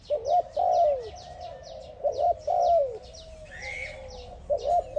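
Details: Spotted dove cooing to another dove, three low phrases of a quick double coo then a drawn-out descending coo, with faint chirps of other small birds and a brief higher call in the background.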